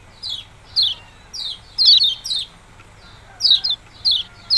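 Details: Sharp descending chirps of a yellow-bellied prinia, "ciak-ciak jos" style, given singly or in quick pairs roughly every half second to second, clear over a quiet background.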